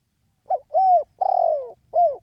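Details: A single four-part cooing phrase from a spotted dove in the excited 'khan yon' calling style. It has a clipped opening note, a smooth arched coo, a drawn-out grating note falling in pitch and a short final coo. The background is quiet.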